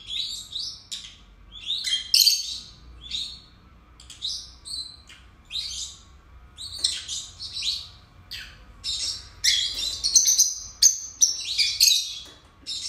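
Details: Two pet lovebirds chatter continuously, mixing piercing squeaks, short rising whistles and rasping notes, growing denser and louder toward the end; faint hum behind.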